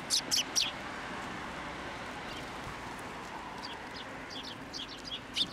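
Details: Sparrows coming to a hand for food at a Tenmangu shrine, 10 December 2023; a burst of three bright chirps opens, then near quiet, then fainter scattered chirps toward the end over low ambient noise.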